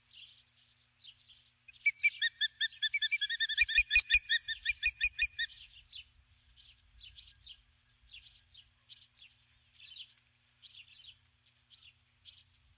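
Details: Female osprey at a nest on a ranch at dusk on 21 July 2015, calling for her absent mate after landing with a stick. A burst of rapid, sharp, whistled chirps repeats several times a second, then softer, scattered chirps follow, with low thumps.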